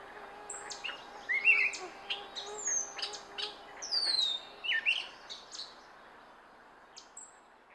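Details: Gray catbird phrases: scratchy chirps and slurred whistled notes delivered in irregular clusters over about five seconds, then trailing off into a few isolated high notes against quiet background noise.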